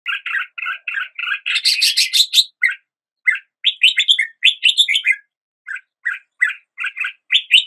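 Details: Red-whiskered bulbul singing at the start of the day: bright, clear whistled phrases of quick rising and falling notes, bursts of richer chattering warbles, then short repeated two-note chirps separated by brief pauses.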